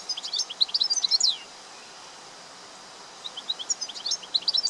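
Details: A European goldfinch (Carduelis carduelis) from Greece sings rapid, tinkling high twitters and liquid notes in two bursts separated by a short pause, over faint background hiss.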